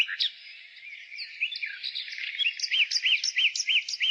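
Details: Nightingale singing in spring. Scattered whistles give way to a steady series of loud, arched, piping notes repeated about three times a second. A murmur of other birds sits in the background.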